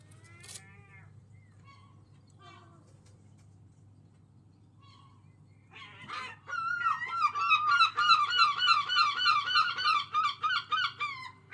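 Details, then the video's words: Very loud seagulls making strange sounds: a few faint scattered yelps, then a sudden loud laughing series of rapid, repeated yelping notes, about four per second for five seconds, fading at the end over a low background hum. "Seagulls are very loud and make strange sounds"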